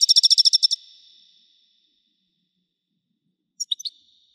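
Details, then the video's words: European goldfinch of the widani type: a rapid run of about ten sharp, evenly spaced high notes trailing into a thin whistle, then a brief twittered fragment after a pause. "حسون ويداني حصري صوت مزلزل"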